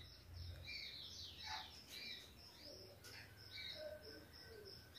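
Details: Ultramarine grosbeak (Cyanoloxia brissonii), a captive breeding male, father of a five-month-old chick, sings loudly outdoors in the morning sun: sweet warbled whistles tumbling up and down in quick phrases, over other chirping birds and a steady low hum.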